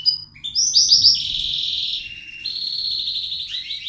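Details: Caged bird pouring out loud song when its owner comes into the room, pecking if approached; sustained rolling trills held at high pitch, with a low background rumble.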